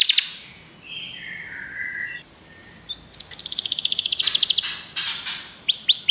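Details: Canary song for coaxing a pet canary to sing, over steady background hiss: soft warbled notes at first, then a rapid buzzing trill, a burst of chattering and a few looping whistles at the end.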